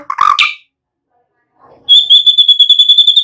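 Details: A young-bird training recording of white-rumped shama song: a brief harsh burst, a pause, then a rapid, evenly repeated high trill of bright notes.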